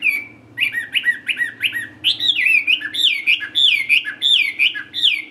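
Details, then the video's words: A tamed, caged Chinese hwamei performs a midday solo in the ngũ trường song style. It opens with a steady whistled note, then gives bouncy repeated two-part phrases and loud swooping whistles, over a faint low hum. "HM 320 ngũ trường siêu mẫu thuần đét solo giữa trưa"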